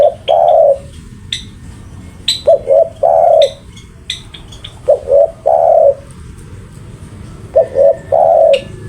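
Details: Spotted dove, described as a very active singer, cooing low and mellow. Phrases of two short notes and a longer drawn-out coo repeat about every two to three seconds. Higher chirps and tweets from other birds sound in between.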